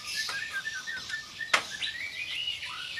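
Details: White-rumped shama singing sharp 'tembakan' phrases: a rapid string of short, repeated piping notes, then a sharp click and higher, rising whistles with a falling slur at the end.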